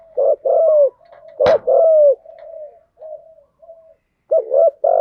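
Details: Cooing of male and female spotted doves used as a lure to excite trained birds, in 'thúc gù' and 'gáy gọi' styles: deep, rounded coos in quick groups, one sharp knock partway through, then a short gap before more coos.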